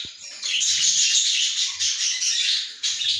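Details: Budgerigar nest with the mother and her chicks, heard as constant shrill, scratchy chirping and chattering from several birds at once, swelling slightly in loudness, with faint low bumps of movement.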